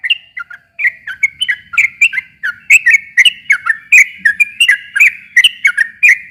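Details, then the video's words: Sooty-headed bulbul singing to lure a quiet bird into answering: a steady rapid chain of short whistled notes sliding down and up, loud and bright throughout, with a brief pause near the start. "kicau suara trucukan gacor ropel panjang ini ampuh buat pancingan trucuk macet agar nyaut bunyi lagi"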